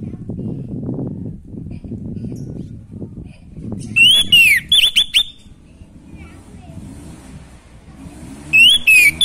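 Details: Orange-headed thrush singing vigorously, aimed at rousing a bird lacking breeding drive: low murmur and rumble, then a quick cluster of four loud whistled notes, a lull, and two more whistles at the end.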